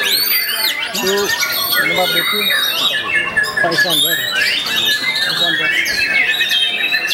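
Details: A competition White-rumped shama at a songbird contest in Yogyakarta pours out a loud, fast medley of rich whistles, slurred rising notes and harsh chatter, with other songbirds overlapping throughout.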